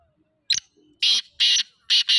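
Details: Black francolin in Sindh, Pakistan, giving a loud, harsh, grating call: a short sharp note followed by three strident rasping bursts, each roughly a quarter second long and about half a second apart.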